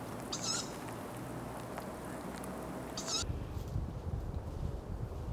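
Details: A tawny owl in Ostankino Park gives two short, sharp, cat-like calls about three seconds apart over a steady low city rumble.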